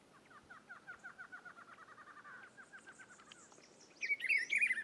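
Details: Rufous-browed peppershrike (Cyclarhis gujanensis) singing in Rio Grande do Norte, Brazil: a quick series of short, evenly spaced chirps opens, followed by one loud, rich warbled phrase rising and falling at the end.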